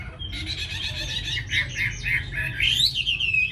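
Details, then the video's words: Caged tame Chinese hwamei in Hanoi, Vietnam: buzzy, rich slurred notes repeated in quick succession, ending in a bright rising whistle that falls away, with steady low background noise. "Mi thuần cb98123 giọng rất hay mau mỏ"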